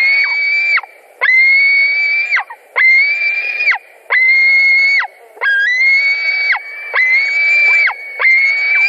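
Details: White-tailed eagles at a nest in Latvia on 16 July 2020, a bird arriving with fish. Long, level, squealing whistles of about a second each end in a sharp downward slur, repeated with short gaps.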